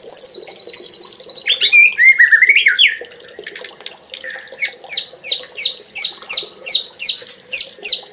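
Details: Champion Oriental magpie-robin song: a high rapid trill, then varied warbled and slurred phrases at lower pitch, followed by loud repeated downslurred whistles roughly three per second; faint low background hum.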